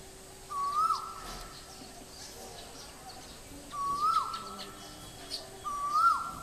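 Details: Male Asian koel calling at Guwahati, Assam, India: a clear two-part whistled note rising then dropping sharply, given three times about every three seconds, with faint higher chirps from other birds behind.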